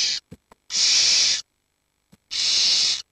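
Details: Barn owl chicks, aged 7 to 19 days, huddled together for warmth while the parents are out hunting; two long breathy hisses separated by silence, with a few short clicks and taps before the first.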